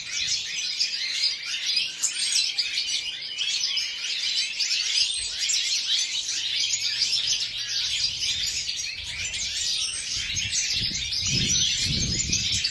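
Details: A flock of European goldfinches in an aviary sings continuously, a busy high twittering of sharp chirps and trills, with soft low thuds and rustling toward the end.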